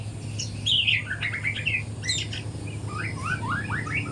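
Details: White-rumped shama in spotted juvenile plumage, learning to sing at morning time. It gives bright, varied whistled phrases, then a series of upward-sweeping notes repeated in quick succession, with a faint hum behind.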